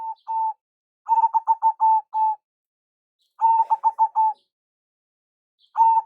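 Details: Zebra dove, local type, giving its lure call. Two longer coos open, then phrases of fast stuttering notes end in sustained tones. The phrases repeat about every two seconds with silent gaps.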